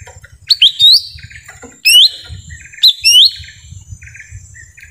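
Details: Lesser green leafbird lure call recorded in a forest, used to attract wild birds: loud whistled upslurred notes rising to a high pitch, given in pairs about once a second, with faint buzzy chirps from other birds between.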